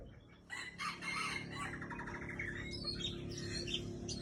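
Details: White-rumped shama of the Aceh type, a breeding female, singing a varied run of bright whistles and chattering notes that climb into higher trills, over a steady low hum.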